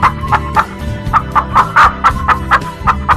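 A chicken clucks in quick, evenly spaced bursts, about four a second, over a steady low musical background.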